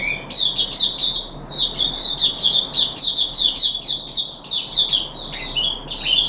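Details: Puff-backed bulbul kept in a cage, recorded 14 July 2021 during deworming treatment, delivering quick, squeaky slurred phrases in an unbroken stream of high notes over low steady background hum.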